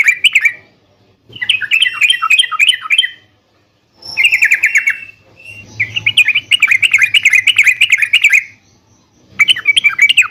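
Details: Caged yellow-vented bulbul song aimed at getting other birds to answer: four long bursts of rapid, bubbly warbling separated by short silences, with a faint low hum underneath.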